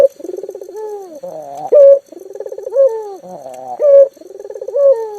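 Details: Local spotted dove, calling actively, used as a lure to get mute doves to call; repeated coos with a quick pulsed trill followed by a sliding tone and a loud clear note, cycles roughly every two seconds.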